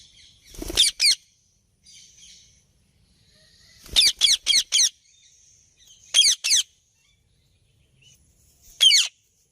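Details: Rose-ringed parakeet giving shrill, harsh screeches in tight pairs and triplets, separated by pauses of one to two seconds, against a quiet background.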